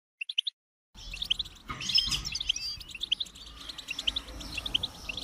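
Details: Goldfinch song: after a brief gap, rapid high twittering of bright chirps and trills continues, with a steady faint background hiss.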